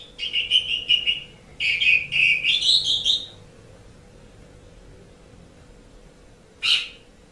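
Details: Asian pied starling song used for training pet songbirds: a run of whistled, chattering notes near the upper-middle range for three seconds, rising at the end, then a pause and one sharp burst.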